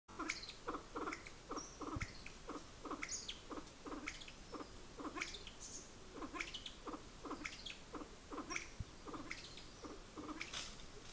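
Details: A Kalij pheasant near Nainital in the Himalaya gives quick, repeated clucking and squeaky chirps, several notes each second, over a steady hiss of background noise.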